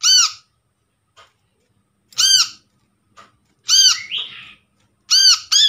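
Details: Brown-throated sunbird lure call from a trapped bird: sharp, squeaky arched notes every one to two seconds, one followed by a brief rising buzzy slur, with soft clicks between.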